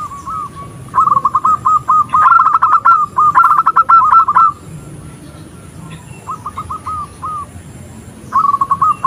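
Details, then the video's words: A female zebra dove calls the male, a sound used to lure males into calling. Loud rapid coo trills run for several seconds amid clicks, then a softer phrase follows, and the loud cooing resumes. "Suara perkutut betina memanggil perkutut jantan"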